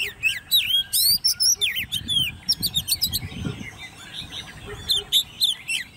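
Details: Ten-month-old hand-reared Oriental magpie-robin kept in a cage and singing competitively, pouring out dense bursts of sweet whistles, rapid high chirps and curving slurred notes, about two per second, with faint low hum behind.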